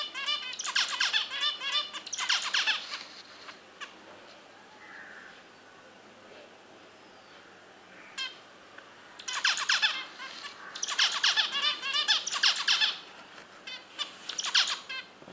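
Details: A finch, always active in its nest, gives bursts of rapid, harsh, nasal chattering calls, each run lasting a second or two with brief quiet gaps between.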